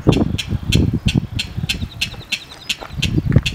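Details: King rail calling at Tiocano Lake, Texas: a steady series of harsh, clipped kek notes, about three per second, over a low rumble, with faint high chirps from another bird.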